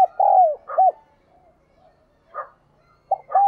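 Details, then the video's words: Spotted dove in the 'đồng kim' ('đồng chuông') bronze-bell singing style, praised as resonant. A long falling coo and a short note open the clip, then a pause, a soft buzzy note, and a new phrase beginning at the end. "cu gáy/ cu gáy giọng đồng kim"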